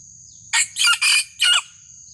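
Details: Junglefowl crowing to lure and challenge a rival: one harsh, broadband crow of four clipped bursts, a short first note then two longer joined ones and a final burst, over a steady high electronic whine and faint low rumble.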